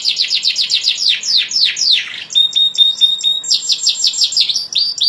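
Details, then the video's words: Canary song made of rapid trills of high, downward-sweeping notes repeated in quick series, broken by a sustained steady whistle near the middle, then more fast repeated sweeps. "اجمل تغريد للكناري"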